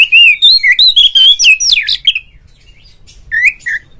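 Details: Kacer, the oriental magpie-robin, delivering a rapid stream of clear whistled notes and swooping slurs for two seconds, then two short upslurred whistles; the call is used to prompt other magpie-robins to sing.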